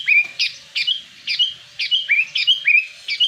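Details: Sooty-headed bulbul lure call, used to draw in wild birds and to stir caged bulbuls that have stopped singing: bright chirped notes, each sliding down then leveling, repeated quickly about every third of a second in a steady run.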